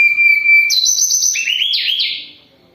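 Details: Sunda robin in moult yet singing actively: a long steady whistle, then a higher rapid trilled run that drops into lower warbling phrases and fades out.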